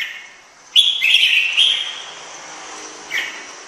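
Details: Bulbul-type song: one loud burst of slurred whistled notes followed by a single short chirp, over steady background hiss.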